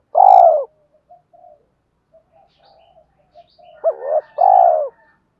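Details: Decoy spotted dove calling to lure wild doves ('gáy gọi - thúc'). A loud falling coo comes first, then quiet scattered coos, then a rapid pair of rising hooting notes and a final full coo.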